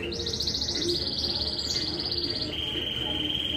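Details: Domestic canary in a Juiz de Fora, Minas Gerais singing contest holds a continuous rolling trill, stepping down in pitch halfway into a lower steady warble, background hum throughout.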